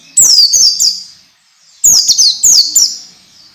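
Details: Master song for young orange-headed thrushes, to encourage fast, frequent singing: two phrases of high, loud, descending whistles, each of three or four notes, separated by a second of near silence.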